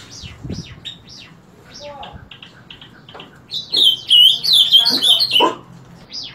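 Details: Summer tanager singing in the morning, as it does punctually every day from 7 am: a loud run of short warbled, slurred phrases for about two seconds near the end, after softer chirps and whistles from other birds.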